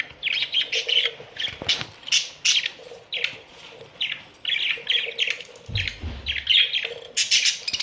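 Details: A colony of Australian budgies chattering: rapid bursts of scratchy chirps and warbles, several birds calling at once, pausing briefly between bursts, with a faint low thump near the end.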